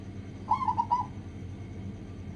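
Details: Zebra dove, local type, on a recording used as a lure so other doves sing quickly: one faint, quick cooing phrase of a few rolling notes, set against a noisy low rumble that continues after it.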